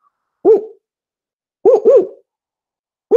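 A Spotted Owl gives its four-note hoot: a single hoot, a quick paired hoo-hoo, then a final hoot, all mellow, barking and mid-pitched, in otherwise quiet surroundings.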